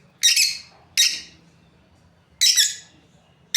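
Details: A breeding pair of lovebirds gives loud, harsh, high chirps in short bursts, each with a sharp start that fades quickly, spaced irregularly about one to one and a half seconds apart.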